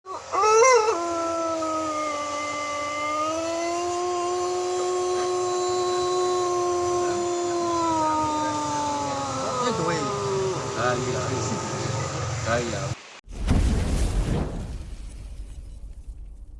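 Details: A champion East Javan Pelung rooster, a breed prized for long, rhythmic crows, gives a very long, sustained crow that holds steady, then wavers and falls away.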